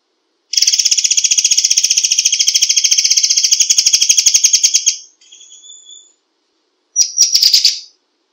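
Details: Forktail giving a fast, tightly packed burst of buzzy, shrill high notes that runs for about four seconds, then a softer thin whistle, then a short harsh burst.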